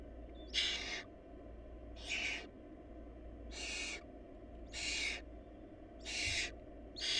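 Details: Barn owl nestlings in a nest short of food, where the smallest chick died and was fed to its siblings; harsh broadband hissing screeches about a half-second long, repeated roughly every 1.3 seconds over a low steady hum.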